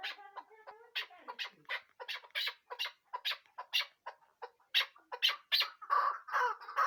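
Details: Chukar partridge calling in a rapid series of harsh, clucking notes, roughly two per second, spread across mid and high pitches, growing louder and denser toward the end.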